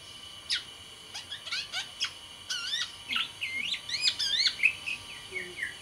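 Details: Sumbawa black-naped oriole kept as a cage bird, singing energetically: a fast run of varied chirps, looping slurred whistles and twittering notes, building into a dense burst near the end, steady background hiss.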